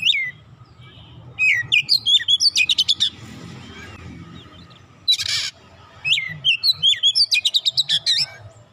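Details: Oriental magpie-robin song used as a lure for a quiet magpie-robin: a steady run of about a dozen evenly spaced sharp whistled notes, a short harsh rasp, then another rapid series of bright chipping whistles.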